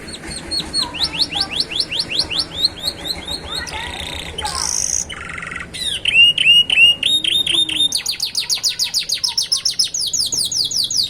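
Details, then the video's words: Young canaries, described as chicks just beginning to dare to sing by the roadside, deliver a song with a distinctive rhythm: rapid series of sharp rising whistled notes, brief buzzy bursts, then fast steady trills of repeated high notes. "صوت فراخ الكناري يغني بإيقاع فريد من نوعه ، يبدأ في الجرأة على الغناء على جانب الطريق"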